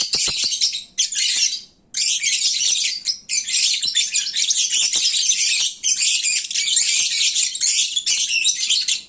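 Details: Sleepy, well-fed lovebirds calling at midday, their noisiest moment: a busy wall of high, scratchy chirps from several birds, starting with a short burst, then a brief gap, then near-continuous chatter.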